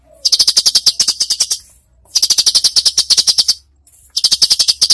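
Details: Cucak cungkok singing a masteran 'tembakan' style: three long bursts of fast, dry, machine-gun-like rattling notes. Each burst lasts about one to two seconds, with brief pauses between them.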